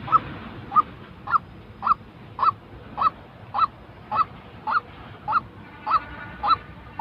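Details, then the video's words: White-breasted waterhen, a genuine recording meant to train freshly moulted decoy birds to call: loud clipped honking notes repeated roughly every half second, a dozen in a row, with steady background hiss. "tiếng chim quốc thật"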